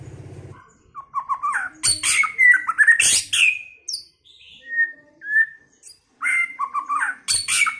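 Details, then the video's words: Early-season song of a White-rumped shama: a run of quick falling whistles leading into loud harsh buzzy bursts, then two isolated pure whistles and a further whistled phrase with rasps, after a brief low hum. "chòe lửa hót,chòe lửa chuyền mùa đầu"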